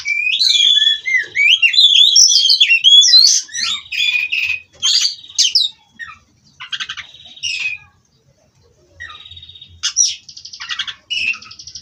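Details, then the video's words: Caged white-rumped shama (kacer) bred in an aviary, rolling song without pause: rich whistles and slurred, warbling phrases at the start, then short buzzy rattles and sharp notes separated by gaps. "Kacer Ini Ngerol Tanpa Henti"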